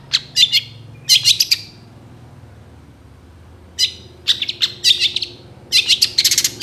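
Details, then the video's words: Long-tailed shrike song, full of imitated phrases, for tutoring other songbirds: short bursts of harsh, scratchy high chirps separated by silent gaps of one to two seconds. "SUARA CENDET FULL ISIAN GACOR DOR"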